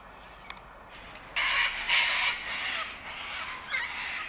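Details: Sulphur-crested cockatoos, a flock at Bundanoon station, Australia, in June 2021: loud, harsh broadband screeches of about half a second each, several in quick succession, with a faint background hum.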